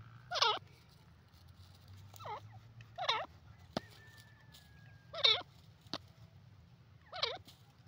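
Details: Grey francolin, called teetar, India, 2023: a series of six harsh, wavering notes spaced one to two seconds apart, loud and rough, with a couple of sharp clicks and a brief thin whistle between them.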